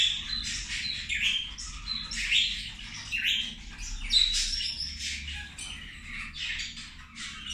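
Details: Zebra finches at their meal, several birds calling at once: busy bursts of nasal, honking little beeps and buzzy chirps arriving every second or so, with a faint low hum behind.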